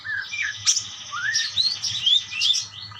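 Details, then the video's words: Budgerigars chattering to each other in rising whistled chirps and scratchy warbles, one sharp click near the start, a continuous lively exchange of high notes over faint low hum. "burung parkit bersautan"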